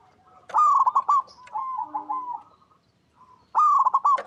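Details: Zebra dove, a local bird recorded in natural surroundings and used to coax other doves to sing: a loud rolling burst of quick notes, a softer run of lilting coos, a brief pause, then another loud burst.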